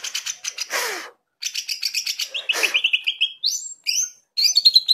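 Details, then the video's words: Greater green leafbird singing energetically, used as a reference song for training other birds: rapid rattling chatter, harsh broadband bursts, then a clear descending whistled series and rising whistles, with brief pauses between phrases. "CUCAK IJO GACOR NGENTROK ..!! COCOK BUAT MASTERAN"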